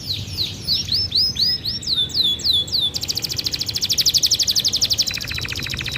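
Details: Canary song in the cengkok mewah style: rising and falling slurred whistles in a series, followed by a fast, rhythmic buzzy trill that shifts to a lower second trill, high-pitched and clear.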